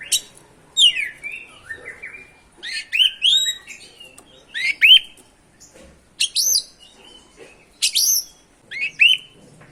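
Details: Oriental magpie-robin (kacer) full song used as a lure to make other birds sing: bursts of varied, sweeping whistles and sharp clicky notes in phrases separated by short silences.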